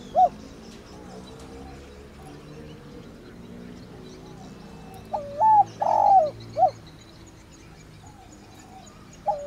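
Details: Spotted dove giving its luring coo call ('gáy gọi'): a few low, soft hooting coos, one at the start, a short phrase of three or four in the middle and one at the end, over a steady low hum.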